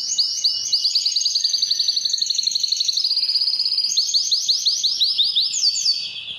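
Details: Canary; training song; training young canaries to learn song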